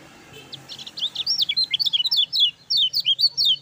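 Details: High, chattering Lemon-bellied white-eye song in 'gacor ngejos' style, a master for silent birds: accelerating series of sharp slurred chirps, some paired, running steadily for three seconds.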